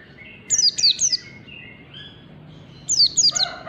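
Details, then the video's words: Pleci (white-eye) learning the fast ngalas song style: bursts of three high, sharply falling chirps, with soft mid-pitched whistles in between and a quiet pause before the next burst. "MEMANCING PLECI BELAJAR BUNYI CEPAT NGALAS"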